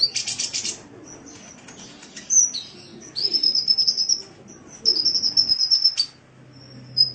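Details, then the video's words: Caged sunbird, recorded as a training master for songbirds, giving high-pitched song: a buzzy rattle opens, then long sustained thin trilled notes repeat in runs of about a second, with sharp chips between them and a low hum below. "Masteran Suara Burung Kolibri"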